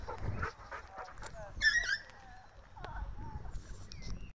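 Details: A parakeet seen on a morning walk at Manor Field Recreation Ground, Whittlesea, gives one harsh, screechy squawk, then a few thin rising whistles; a person speaks briefly at the start over low background rumble.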